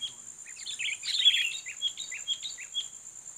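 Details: Sooty-headed bulbul, a fighting bird, sings to lure and challenge a rival: bright, bubbly chirped notes tumbling together, then short separated whistled phrases, all over a steady high-pitched whine.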